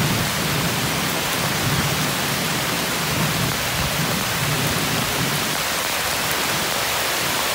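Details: Dense, steady rain pours with a constant hiss and a faint low rumble.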